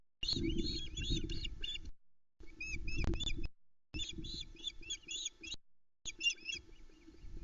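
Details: Osprey family at a nest at Loch Arkaig, Scotland, at dawn on 10 July 2020 as the male arrives with the first fish, a trout, for the female and three chicks; rapid bursts of high whistled chirps in short runs over steady low wind rumble.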